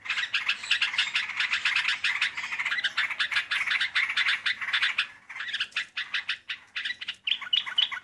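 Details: Sooty-headed bulbul used for luring birds, with a melodious voice: dense, rapid bubbly chattering of short notes running almost continuously, briefly breaking near five seconds before resuming in choppier bursts.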